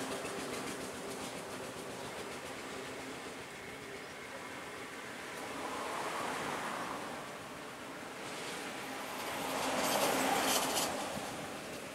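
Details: Only a steady broadband rushing noise that swells and fades, like passing traffic or a train, with no animal voice.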